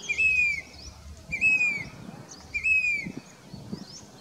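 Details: Monsoon migrant grey-bellied cuckoo in Danta Ramgarh, Sikar district, Rajasthan, July 2021: three loud, clean whistled notes, each gently falling in pitch and evenly spaced about 1.2 seconds apart, over faint rustling background.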